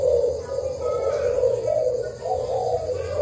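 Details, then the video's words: Spotted dove kept as a Thai-stock decoy bird, giving a steady run of low, soft cooing notes that swell and fade over three seconds, with a faint low hum underneath. "Cu gáy mồi thailand"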